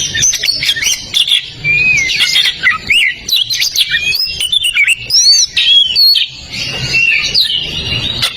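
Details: Oriental magpie-robin (kacer) in full, busy song, a tutor recording for magpie-robins that will not sing: rapid chattering runs mixed with sweet whistles and short rising notes, continuous throughout.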